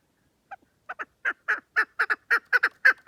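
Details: Chukar partridge calling: a few quiet clucks swell into loud, evenly spaced raspy chuk notes, some doubled, roughly two per second; quiet background.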